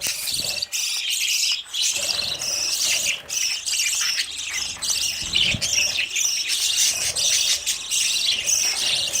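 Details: Young budgerigars, newly out of the nest, chasing parent birds for food; busy overlapping high chattering and squeaky calls that rarely pause, dropping out briefly around one and three seconds.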